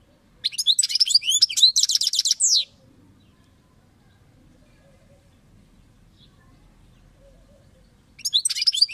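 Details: European goldfinch song: a dense two-second jumble of liquid twitters and buzzy notes, several seconds of quiet, then the twittering resumes.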